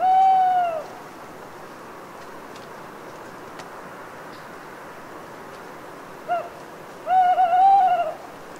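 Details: Solitary owl in an autumn forest at Les Assions, Cévennes foothills, France, at night after long rain. One hoot opens the clip, then after a quiet pause with dripping water comes a short note and a wavering, broken hoot.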